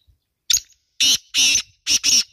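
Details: Female black francolin (kala teetar) call, a series of harsh grating notes: one brief sharp note followed by two longer rasping notes and a closely spaced final pair.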